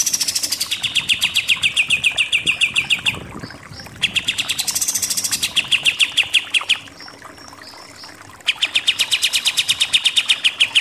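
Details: Long 'nembak' shooting-style song of a Pied triller used to tutor contest birds: extended fast trills of sharp repeated notes with high buzzy bursts, broken by brief pauses.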